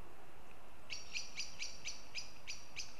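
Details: Sharp repeated notes from a northern goshawk in Riga, Latvia, seven in a steady run about four per second, each harsh and ringing, over a constant low hiss.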